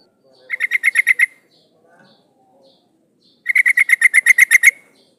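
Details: Sooty-headed bulbul female calling a male, used as a lure for males: two bursts of rapid, evenly spaced chattering notes, about seven then eleven, harsh with bright high overtones, separated by a quiet pause.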